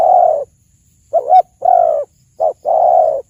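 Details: Spotted dove song, played to lure doves when hunting: low, smooth coos in pairs, each a brief looping note then a drawn-out even coo, with short silences between phrases.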